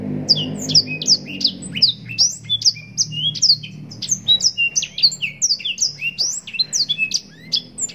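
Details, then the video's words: Black-throated canary (blackthroat) in long, nonstop 'gacor' song with ornate phrasing, used as mastering for contest birds: rapid high twittering of varied sharp chirps, slurred whistles and short trills, with a low hum in the first two seconds. "Blackthroat gacor nembak panjang cengkok mewah full durasi panjang‼️blackthroat bird sound mastering"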